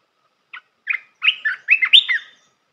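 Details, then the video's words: Red-whiskered bulbul song meant to train young birds: one clipped note, a pause, then a cheerful tumbling series of liquid whistles that climbs to a clear high note and falls away, set against silence. "เสียงนกกรงตาแดงEp.168 เสียงหัดนกลูกเสอ เพลงเพราะ น่าฟัง"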